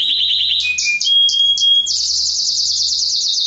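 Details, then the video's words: Mosaic canary singing for mating and chick training, opening with a low trill and clear whistled notes, then breaking into a fast, even high rattle. "تغريد كناري موزايك رائع لتحفيزعلى التزاوج و تعليم الفراخ"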